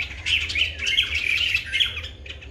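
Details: Calls of a White-bellied drongo in Sri Lanka, filmed on a Nikon COOLPIX P1000: a continuous rapid chatter of squeaky, scratchy notes, with a low hum underneath.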